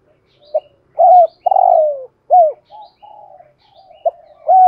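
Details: Decoy spotted dove with 'giọng thổ' voice gives one deep coo phrase: a short note, a strong coo, a long falling coo and a curved final note, followed by soft low humming and another beginning coo.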